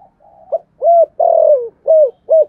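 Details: Decoy spotted dove cooing in the thúc gù style with a giọng thổ voice, calling to lure other doves: soft low lead-in, then short arched hoots around a long, drawn-out falling croon, ending in two quick hoots.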